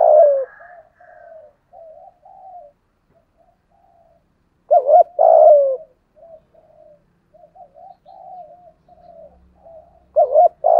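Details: Spotted dove used as a decoy to draw wild doves, 'giọng thổ' voice: three loud phrases of a trilled double note plus a falling coo, separated by gentle low muttering coos.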